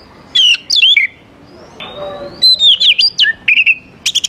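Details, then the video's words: Lively oriental magpie-robin song, used to draw young wild magpie-robins into singing; bright warbled phrases, a drawn-out level whistle, then rapid repeated chip notes ending in high clicks. "KACER GACOR SANGAT AMPUH UNTUK MEMANCING KACER MUDA HUTAN BIAR IKUT NYAUT DAN LANGSUNG GACOR"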